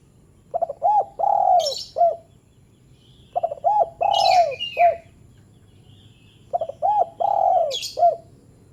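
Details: Spotted dove call intended to make lazy doves respond: three regular phrases, each of stuttered notes, a round coo, a long descending coo and a short final coo, with sharp high chirps accompanying each.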